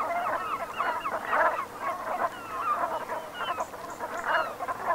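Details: Brent geese flock at sunset on 7 November 2021, autumn, in Brittany's Gulf of Morbihan; rolling throaty honks overlap in dense waves, with a louder surge near the start and another toward the end.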